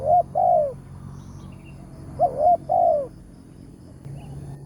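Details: A wild spotted dove with a powerful 'tarik akar' voice, heard during a morning decoy-trapping outing. It gives two rounded coo phrases of two or three notes, the last drawn out and falling, separated by a short quiet gap.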